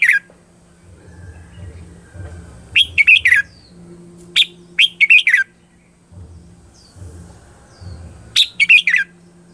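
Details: Red-whiskered bulbul singing a lure song meant to draw wild birds: loud, bright chirped phrases repeated about every two seconds over a steady low hum.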